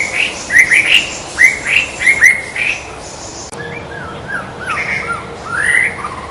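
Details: Wild white-rumped shama in full song: a run of bright, slurred whistles with sharp upward flicks, then softer, lower looping whistled notes; an open natural setting with a faint steady background hiss.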